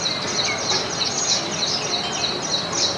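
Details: Baya weavers gathered together in a house garden in India, with a flock on a branch while eating grains. A dense, continuous chatter of high, buzzy chirps repeats rapidly and overlaps, with steady background noise.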